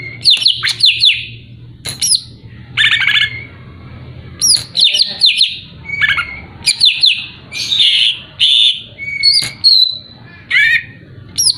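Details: Greater green leafbird (cucak ijo) singing to rouse a rival: a lively, varied run of loud whistled phrases, slurred chips and short trills, delivered in bursts roughly every second with brief pauses between.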